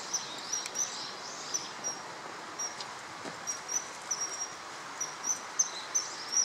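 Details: Male common kingfisher on the Tama River, 21 March 2013, repeating piercing high whistled notes, short and clipped, several per second in loose series, over continuous flowing-water hiss.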